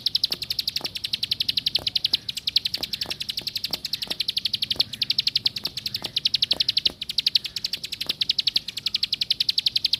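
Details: Continuous plain prinia song lasting ten seconds, a dense, pulsing trill of high clicking notes with slight swells in loudness and occasional low knocks.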